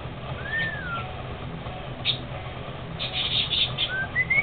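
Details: Pet male cockatiel singing to its owner: a long sliding whistle falling in pitch, followed by brief chirpy sounds and then two short rising whistles near the end, with a steady low background hum.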